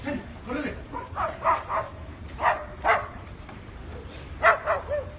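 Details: Parrot barking like a dog: short, harsh bark-like bursts, about seven in five seconds, spaced irregularly and some in quick pairs, over a low steady background hum.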